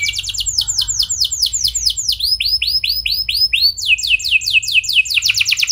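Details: Lure song of a canary to get other canaries singing: phrases of falling sweeps that change pace, fast runs alternating with slower curved whistled notes, clean with no other sounds.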